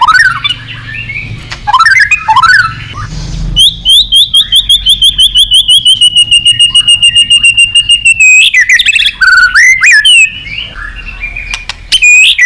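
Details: White-rumped shama calling a rival, opening with scattered slurred whistles, then a long, rapid, even trill of repeated high notes lasting about four seconds, followed by looping whistles.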